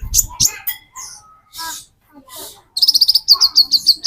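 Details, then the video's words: Olive-backed sunbird song: after scattered chirps and a brief low thump, a fast series of high, sharp, metallic-sounding notes repeats quickly over the last second and a half. "Burung Konin Metalik Pancingan Konin Ijoan"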